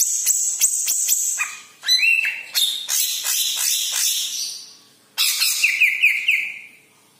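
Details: Loud, busy song of a yellow-headed cucak ijo (green leafbird), used to stir other birds into song: rapid high chips and buzzy trills run together, then a series of quick repeated rising whistled notes.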